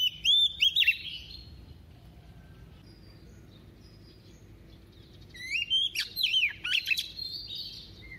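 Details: White-rumped shama female used as a decoy, singing a double-voiced song to excite males; a brief whistled phrase opens, then silence, then a louder burst of slurred whistles and harsh chips.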